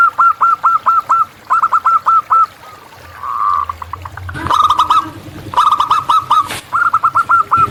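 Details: Wild local zebra dove in active song: evenly paced runs of short hooked coos, a brief low rumble in the middle, then denser overlapping notes after a sharp knock.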